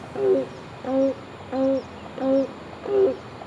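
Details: The only grey crowned crane left in the wild in Singapore, at Seletar, calling out to others of its kind with five short, mellow honks at an even pace, about one every two-thirds of a second, over a faint hum.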